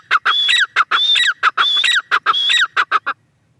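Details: Three close, loud phrases from a female grey francolin, each a grating stutter of syllables crowned by a clear high whistled note. The phrases come back to back, then stop abruptly.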